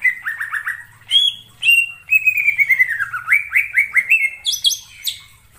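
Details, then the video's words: Greater green leafbird in the wild forest: a rapid, varied series of clear whistled notes, a run of falling slurs followed by sharp rising upslurs and high piercing squeaks near the end. "suara cucak ijo di alam liar_ijo hutan"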